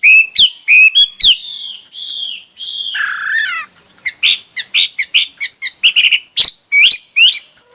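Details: Hwamei delivering a rich varied song: rolling whistled phrases and longer slurred notes, a buzzy downward sweep, then a rapid jumble of short chirps and whistles.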